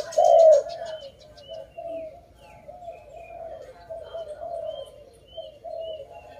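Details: A dove, heard during bird trapping, opens with one loud coo and then continues with quieter, wavering low coos, while another bird gives thin, high chirps at regular intervals.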